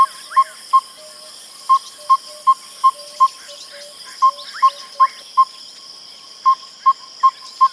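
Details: Yellow-rumped Tinkerbird repeating hollow piping notes in irregular bursts of two to five, separated by brief pauses, hoopoe-like in rhythm. A lower soft note, sliding chirps from other birds and a steady high insect hiss accompany it.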